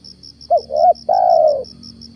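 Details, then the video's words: Spotted dove, a lure bird used in the morning to draw down a wild stammering spotted dove: two short clipped notes followed by one long, steady, slightly falling coo, over a fast, even high ticking in the background. "PEMIKAT TEKUKUR/DERKUKU/DENAK DI TURUNIN TEKUKUR GAGAP"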